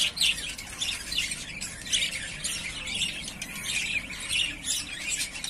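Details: Budgerigars of the yellowface spangle variety, three breeding-ready pairs kept in cages, make a continuous jumble of buzzy squawks and twittering chirps from several birds at once. Faint low rumble underneath.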